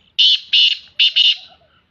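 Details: Female black francolin calling in the morning, four harsh, rasping notes in two quick pairs: loud, buzzy and broad, each pair about half a second apart. Faint whistles from other birds sit underneath.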